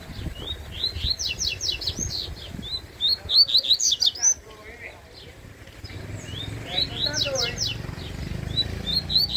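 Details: Yellow-bellied seedeater (coleiro baiano) in a singing contest, delivering fast bursts of high, rapid downslurred whistled notes in clustered phrases, with a brief pause midway, faint voices and low background rumble.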